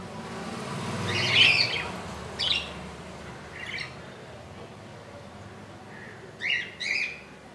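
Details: Budgerigar calls beside a nest with a chick hatched on 15 July 2018 at 2 AM, now two days old: a longer grating squawk, a few scattered short chirps, then a final pair of harsh calls.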